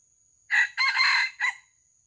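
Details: Junglefowl crowing during traditional luring to catch live wild birds: one short crow in three parts, a brief opening note, a longer strained middle and a clipped final note, over a faint steady high hiss.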